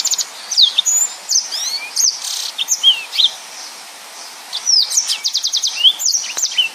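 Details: Sustained high song of a yellow-fronted canary in 'nembak' style, with quick whistled sweeps, a short buzzy stretch, a pause near the middle, then a rapid run of evenly spaced trilled notes.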